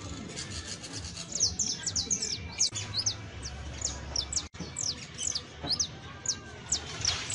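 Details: Juvenile saffron finch (canario basto) with busy high, thin descending chirps in irregular runs, a brief dropout midway, over a low background rumble.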